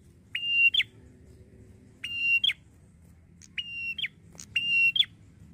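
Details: Red-headed prinia lure call, used to make other prinias respond quickly: four high, flat, thin buzzy notes, each ending in a sharp upward flick, repeated roughly every one and a half seconds over a low background rumble.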